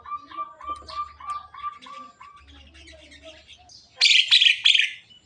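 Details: Javan myna talking until it coughs: a run of eight short, even, mid-pitched tonal notes with softer chatter, then loud harsh rasping bursts near the end.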